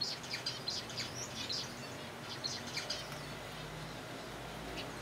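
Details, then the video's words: Zebra finches in a captive colony at softfood feeding time, several birds uttering rapid nasal beeping calls through the first three seconds, then quieter, over a faint low hum. "Zebra Finches feeding"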